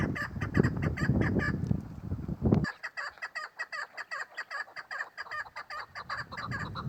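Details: Female chukar partridge calling: after nearly three seconds of low rumbling handling noise, a rapid run of short, harsh, clucking chuk notes follows, about two to three per second, steady and even.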